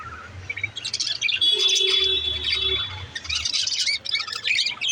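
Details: Budgerigar chattering continuously, a warbling mix of buzzy trills, short chirps and a held pure whistle in the middle, rapid and irregular, with a faint steady low hum in the background.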